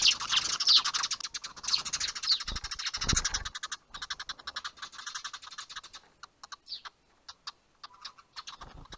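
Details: Spring fight between sparrows at a nest box, filmed by a dash cam during a chase: a busy burst of shrill chirps and chatter for the first few seconds, thinning into scattered single chirps and soft knocks.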